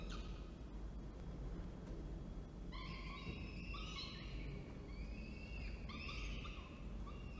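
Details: On 19 October 2024 at Orange, New South Wales, the male falcon delivers food and the female feeds. After a brief opening note, a series of chattering, harmonic wails follows, some rising, over a strong low rumble.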